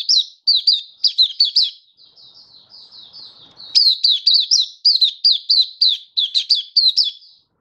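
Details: Oriental white-eye, a hobby songbird recorded 24 February 2023, singing in bursts of sharp, high, down-slurred chirps in rapid series, a softer thin warbling run in the middle, then another loud chirping burst.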